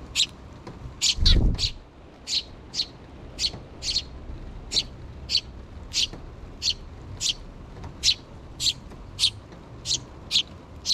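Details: Sparrow chicks, two still in the nest with the mother bird nearby, begging their parents for food: short high chirps repeated steadily about every half second, with a brief low thump early on.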